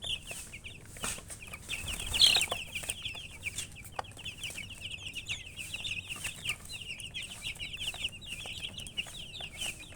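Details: Chicks give a continuous chorus of high, thin peeping notes, each short and falling, with a brief louder scuffle about two seconds in.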